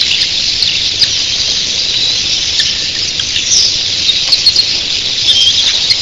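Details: Thousands of red-billed queleas in an early-morning flock pour out a continuous hissing wall of high, overlapping chirps and squeals, steady throughout, with scattered sharper notes and a soft surf-like roar of wings beneath.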